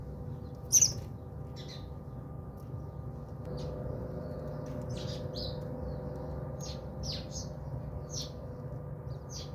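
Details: Bathing house sparrows at a home in South Africa: a loud sharp chirp opens, then scattered short high chirps follow at uneven intervals against a quiet low hum.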